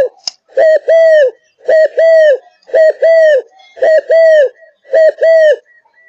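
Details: Spotted dove from Malaysia, a kept bird in peak condition, sings loud, clear coo phrases: a short note then a longer arched coo, five times in quick steady rhythm, preceded by a sharp click.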